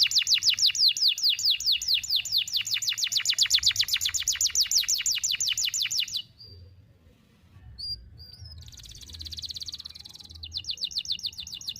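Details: Canary song used as a tutor recording for young canaries: long rapid trains of bright, high downward-sweeping notes for about six seconds, a brief pause, then a buzzy trill and another fast repeated phrase.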